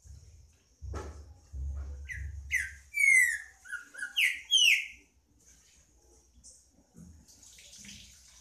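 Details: Green-winged saltator in song: after some low thumps, a burst of loud whistled notes, rising and falling slurs and a long descending whistle, repeated in a quick phrase, then quieter.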